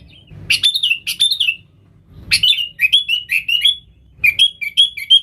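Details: Sooty-headed bulbul, a lively Nggaruda-style singer used to call wild bulbuls: two loud slurred notes, then chains of bending whistled notes sliding up and down, each phrase separated by short quiet gaps.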